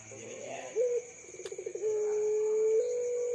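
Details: Puter pelung dove giving a short note and a quick stuttering roll, then a long steady, slightly rising coo, with a brief click and low background hum.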